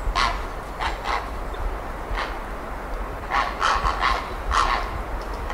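Grey heron giving a series of short, harsh, croaking squawks, about seven in under six seconds, over a steady low rumble.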